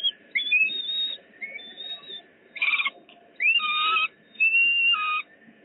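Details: Peregrine falcons in Poznań, 8 July 2020, give high, thin whistled wails, some rising, broken by harsher squealing bursts every second or so over a low steady rumble.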